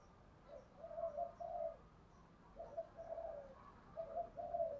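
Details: Distant female decoy spotted dove calling in the 'gáy gọi 1 hậu' style to stimulate males: three faint phrases of low paired coos, over a broad noisy background with thin high chirps of other birds.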